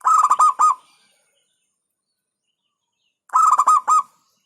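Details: Local zebra dove singing: two bursts of about five rapid, clipped cooing notes, each under a second long, roughly three seconds apart, with silence in between.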